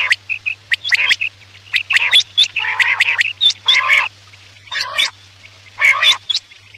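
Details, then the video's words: Quail call played at night as a hunting lure: clusters of sharp, high chirps and harsher buzzy bursts, roughly one a second and irregular, over a steady low electrical hum. "Batair ki awaz raat k liye|batair ki awaz shikar k liye"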